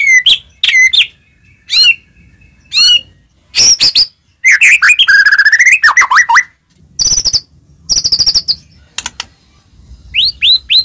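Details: White-rumped shama song meant to make other shamas sing and turn aggressive: spaced sweet upslurred whistles, then dense bursts of chatter, swooping slurs and high rattling notes, ending with crisp rising whistles.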